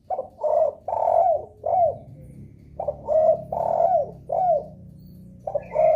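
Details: Spotted dove giving a lure call said to set other doves calling; low mellow coos repeated in phrases of a short note, a longer drawn coo and a falling coo, nearly two phrases in six seconds.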